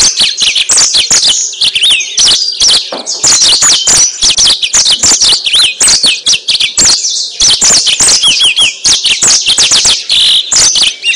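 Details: Yellow-fronted canary singing, played as a lure to attract and trap birds: long, fast, unbroken torrent of high twittering, swooping whistled notes and crisp ticks without pause.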